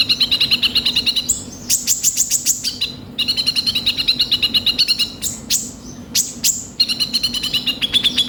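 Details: Long run of konin sunbird song meant to prompt a young bird to sing: fast rattling trills of high chirps alternate with brief very high sweeping bursts, repeated in several phrases over a faint hum.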